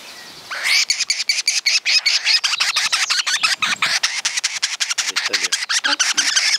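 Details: Guira cuckoo calling in rural groves of Santa Fe, Argentina, in 2023, varied voices sometimes answered by other birds: harsh, rasping, rapidly repeated notes in a long continuous scratchy series.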